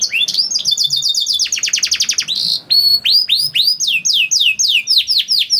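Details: Canary singing to trigger song in other canaries: quick trilled series, a harsh buzzy note, then a long run of repeated rising-then-falling whistled sweeps.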